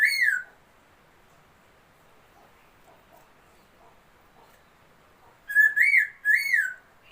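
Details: Laughingthrush, a newly acquired bird, singing: a loud slurred whistle at the start, then near silence, then three strong rich whistled phrases close together near the end.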